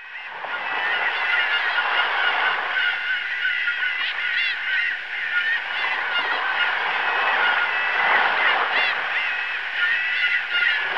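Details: Gulls calling above breaking waves; many overlapping wavering, mewing cries rise and fall without pause over a steady roar of surf.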